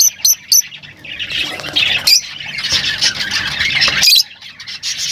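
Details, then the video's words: Lovebirds calling: three sharp high chirps open, followed by a dense wash of harsh squawking and twittering from several birds, then quieter chirps. "Huni ng Lovebirds | Love birds Singing [ Call Sound ]"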